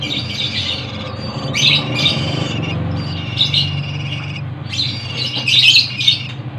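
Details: Three young banded pitta nestlings, about four days old, hand-fed in a flower pot in Cianjur, Indonesia, give bursts of high, harsh, rasping begging calls in short clusters, over a low steady hum.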